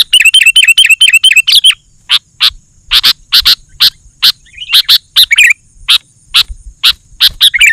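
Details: Sooty-headed bulbul singing as a lure for wild bulbuls: opens with a fast run of evenly repeated chirpy notes, then continues with loud, separated sharp chirps and occasional short warbled phrases.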